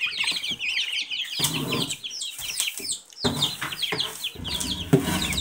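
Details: Young Silkie chickens chirp in a thick flurry of high, falling peeps, interrupted by bursts of scuffling and brushing noise and a few low thuds.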